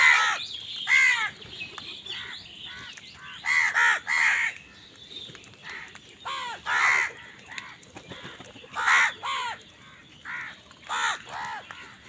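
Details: Loud crows fighting over food caw in harsh, arched bursts, often two or three in quick succession, spaced by brief pauses across the recording.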